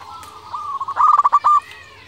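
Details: Local zebra dove in strong voice, cooing as a lure so that rival doves answer at once. A soft, level tone leads into a quick, stuttering run of loud, bubbling coo notes, ending in a sustained note.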